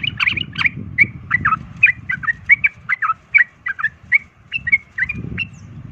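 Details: Sooty-headed bulbul fighting song that provokes other birds: a steady string of clear, slurred whistled notes, about three per second, each short and bright, with faint low background rumble.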